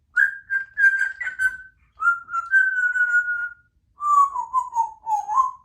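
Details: Pet female Congo African grey parrot, a chatty talking bird kept indoors at a country home, giving three runs of warbling whistled notes; the first run is level and the later runs step gradually lower, ending in a wavering trill.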